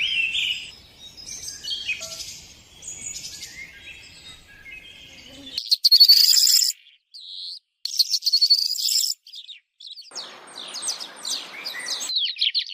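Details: Birds singing: dense, high-pitched chirps and twitters in rapid bursts, with abrupt silent breaks where the sound cuts out, and a soft hiss near the end.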